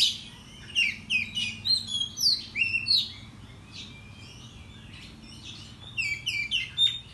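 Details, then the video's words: Oriental magpie-robin singing excitedly in the morning as a provoking lure. Rapid, mixed whistled and scratchy notes tumble out for three seconds, fall quiet briefly, then resume with another short whistled run. "Pancingan Kacer Bikin Emosi Agar Kacer Gacor ! Buka Ekor Ngobra"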